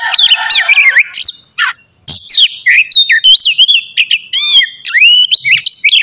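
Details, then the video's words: Oriental magpie-robin morning song played to get kept birds singing: bursts of harsh chatter and steep whistled sweeps, a short silence, then a flowing series of looping whistles and rapid chirps. "terapi pagi cocok buat mancing kacer agar cepat gacor dan bukor"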